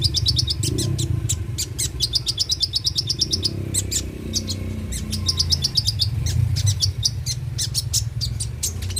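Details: Van Hasselt's sunbird (konin) lure song for prompting song: energetic, nearly nonstop high chattering trills of rapid repeated notes, in runs of several per second, over a low humming background.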